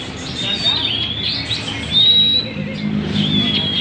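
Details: Magpie-robin singing actively at Banjar Indah: clear high whistled notes, some drawn out and gently rising, mixed with quick chirps over a busy background of other chirping birds and a faint low hum.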